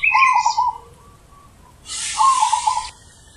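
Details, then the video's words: Zebra dove performing big, deep 'ulem' style song, two rolling gurgled coo phrases, the second overlapped by a loud hissing noise burst. "Perkutut Manggung ULEM Super BESAR"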